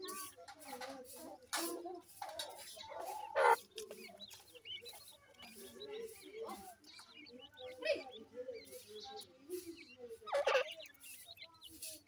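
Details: Grey francolin chicks feeding, a steady stream of quiet cheeping and short upward-sweeping squeaks, broken by louder clatter and a few low clucks, with faint human voices.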